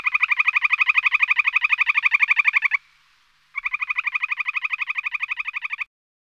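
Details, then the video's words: Purple sandpiper (Calidris maritima) giving two long, even trills of buzzy, rapidly pulsed notes, about sixteen a second, with a short pause between them. "Purple Sandpiper Birdsong - Bird Call"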